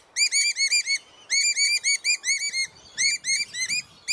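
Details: A pair of noisy wild rainbow lorikeets near their nest in a backyard: loud, high, rapidly repeated chirping notes in bursts of about five to seven, each burst separated by short pauses.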